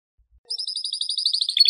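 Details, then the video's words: Canary, the domesticated form, delivering a fast, even trill of high pure notes that grows slightly louder and rougher toward the end. "أنواع طيور الكناري مع تغريد رائع"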